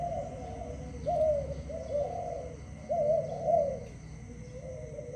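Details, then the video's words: Cooing dove at early morning, moderately soft, with a few drawn-out, slightly wavering coos at uneven gaps and a steady low hum underneath. "Dove animal singing at early morning"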